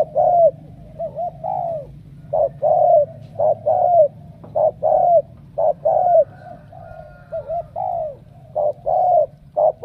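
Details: Spotted dove from Cà Mau giving repeated low coos, short clipped notes mixed with longer slurred falling ones at an uneven pace, soft low-pitched hum underneath.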